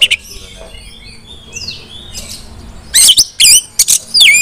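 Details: Female Oriental magpie-robin calling other magpie-robins to sing: faint thin whistles at first, then a loud closing burst of swooping whistled notes and scratchy chatters in the final second and a half.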